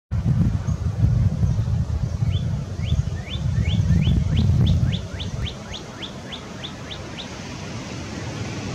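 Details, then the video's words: Northern cardinal singing in Sapsucker Woods, Ithaca, New York, USA, on 20 February 2022: a steady series of about fifteen quick upslurred whistled notes, roughly four per second, over heavy low rumbling noise that fades midway. "Red cardinal's song (cardinale rosso in canto)"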